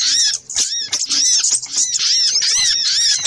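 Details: Little spiderhunter lure sound, a busy compilation of high, arched chirping notes packed closely together, overlapping repeatedly with almost no pauses.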